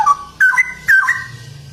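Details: Straw-headed bulbul singing in ropel style: three short rich whistled bursts, each a quick sliding warble dipping and rising, separated by brief gaps over a low background hum.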